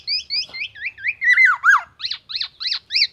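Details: Black-naped oriole singing with mimicked oriental magpie-robin and ambulance-siren phrases: rapid paired whistled upslurs, then a wavering downward siren-like sweep and a run of sharp, evenly spaced chirps.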